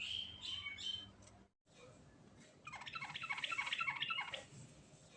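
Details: A Sooty-headed bulbul sings naturally in the gacor rolling style full of fill-ins: a few whistled notes, a brief silent gap, then a long fast rolling trill of repeated descending notes, about three per second.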